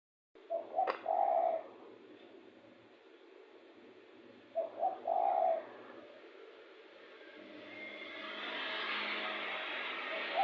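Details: Spotted dove, described as very heated, with a recording suited to luring birds: two bursts of low, hollow, rolling coos about four seconds apart, followed by rising broadband noise.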